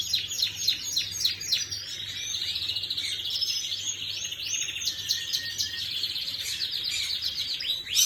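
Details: Canary song from 11 May 2025: a long, unbroken stream of rapid high trills and rolling warbles, very fast and continuous, with a constant low hum underneath.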